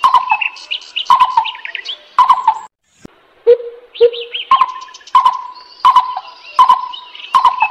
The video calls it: suab tua yuag me quaj